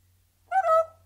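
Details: Caged lone parrot giving sporadic, noncoherent chatter: a single harsh, harmonic-rich squawk about half a second long, rising slightly then holding, against a faint low hum.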